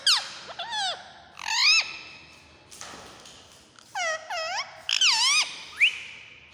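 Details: Pet parrot, a talking bird; a series of harsh, nasal, upswept squawks with strong harmonics, some single and some in quick pairs or triples, separated by short pauses and a soft rustle.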